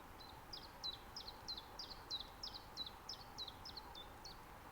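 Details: Common chiffchaff recorded in mid-spring in a nature reserve in Estonia with a Zoom F6 and Sennheiser MKH 8040; a series of about thirteen short, sharp, downslurred notes, roughly three per second, over a quiet low background hiss.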